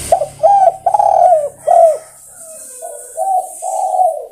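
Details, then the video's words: Tekukur, the spotted dove, calling its companions with a run of low, rounded coos, some long and slightly falling, several short notes in quick succession, then softer coos trailing off. "Sudah Teruji Tekukur Memanggil Kawan"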